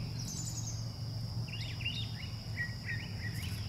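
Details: Brown thrasher singing in the background outdoors: short scratchy two-note phrases near mid-high pitch, given in pairs, over a steady high insect drone, low rumble and a man talking about a squirrel obstacle course.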